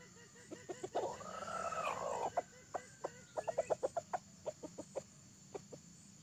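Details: Red junglefowl with tadung plumage crowing during a trapping session with a decoy; a bought bird that escaped, not an original wild bird. One drawn-out arched crow lasts over a second, then a rapid series of short clucking notes. Insects hiss steadily.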